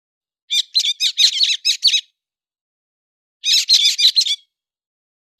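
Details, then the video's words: Héc xoan bird singing, recorded September 2020: two quick bursts of sharp, squeaky chirps and twitters, each about a second long, separated by a silent gap; clean with no other sounds. "tiếng chim héc xoan tháng 9 2020"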